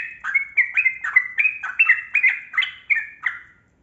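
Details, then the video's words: A yellow-vented bulbul (trucukan) delivering continuous chattering 'gacor' song, used as a lure for birds reluctant to sing; fast, burbling slurred notes tumble one after another, then the phrase fades out. "Trucukan Kebo Gacor Ropel Panjang Pancingan Burung Buka Suara"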